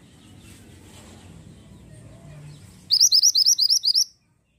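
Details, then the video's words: Pied bushchat in full, persistent song: after a quiet stretch of low background rumble, a fast run of about ten identical high, sharp upward-flicked notes, roughly six per second, lasting just over a second. "BURUNG MANTENAN GUNUNG GACOR"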